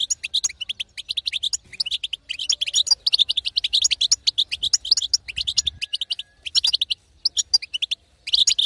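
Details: Batbata of a female European goldfinch, a call for prompting a silent male to start singing; sustained liquid twittering in close-packed phrases, with small breaks between groups of notes.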